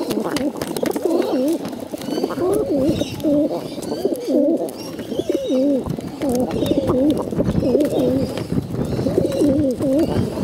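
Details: Hungry bottle-fed pigeons begging indoors: loud wavering, wobbling squeals repeated steadily about every half second in runs, with clicking and rustling of feeding in the background.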